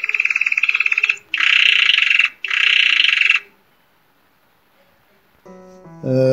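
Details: Spanish Timbrado canary (Serinus canaria) rodado tour, like continuously struck metal but hollow, 'ro-ro-ro': three hollow, metallic rolled phrases about a second each, then a pause and a brief burst of tonal music.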